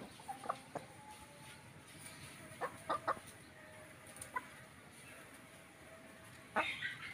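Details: Indonesian village chickens (ayam kampung), rooster and hen: a few short, scattered clucks and squawks with long quiet gaps, the last one louder, over a soft background hiss.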